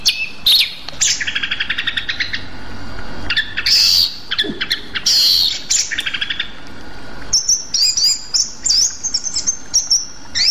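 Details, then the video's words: Rueck's blue flycatcher, a Sumatran endemic, singing: high trilled and buzzy phrases, sharp clicking bursts and thin whistled notes, ending with a fast run of chips and a slurred, rising whistle. "sikatan aceh"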